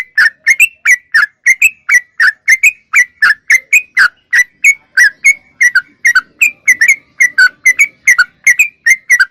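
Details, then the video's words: Sooty-headed bulbul in clear, vigorous song: a steady string of bright, slightly varied whistled chirps, about three per second, continuing without pause through the whole passage against a quiet background. "Suara Trucuk Gacor Super Jernih"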